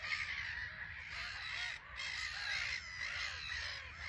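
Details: Harsh, grating calls from many Black-headed gulls on a small colony island at RSPB Frampton Marsh, birds flying in and landing; overlapping screeches roughly once a second, a brief lull near the two-second mark.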